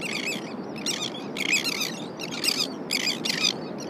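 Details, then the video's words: Elegant terns on the California Central Coast in July, with adults flying in from the sea with fish to feed their young, give harsh, grating, high-pitched calls in quick bursts about every half second over steady hiss, suggesting a busy colony. "ELEGANT TERN VOCALIZATION"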